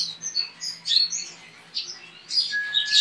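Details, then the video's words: Singing-competition Javan white-eye from Pontianak, West Kalimantan; short squeaky high notes in quick succession, a brief pause, then a dense chattering burst with a faint level whistle behind it. "LOMBA PLECI ONLINE 23 - Aksi Pleci"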